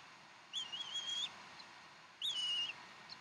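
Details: At the Decorah nest on 15 April 2012, about 6:00 at dinner of fresh duck, a bald eagle gives two drawn-out high whistles, each starting sharply then wavering and sagging slightly, roughly a second long, against faint background noise.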